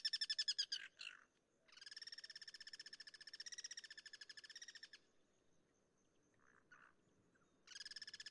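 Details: Guira cuckoo, or pirincho, singing in the wild, with cross-singing between birds: loud, rapid rattling series of harsh pulsed notes, about four per second, in long bursts separated by short pauses with faint softer calls.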